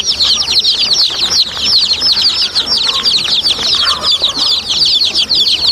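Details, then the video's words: Many baby chicks chirp continuously, quick downslurred high peeps overlapping densely and pulsing slightly in loudness. "baby chicks chirping sounds"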